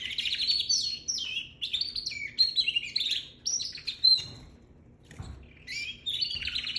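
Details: Baby canary singing in quick bursts of high, twittering warbles and trills with brief whistled notes, broken by a few short gaps of near silence and a soft low thump.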